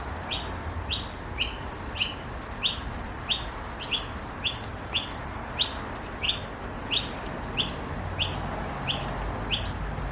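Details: Noisy Miner babies calling for food in a garden in Australia: short, bright, high chirps with stacked overtones, repeated steadily about every half second, over a low background hum.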